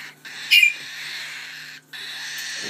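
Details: Slate cockatiel chicks, hand-fed, hungry at four-hourly feeding time with crops not yet empty, give a steady, raspy, hissing begging buzz, with a brief louder squeaky burst near the start.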